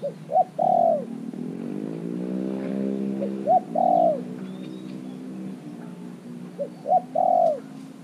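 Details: Decoy spotted dove in a cage, only three months caged, calling to attract wild birds; repeated phrases of two short coos and a long sliding coo, with a droning engine-like hum between phrases.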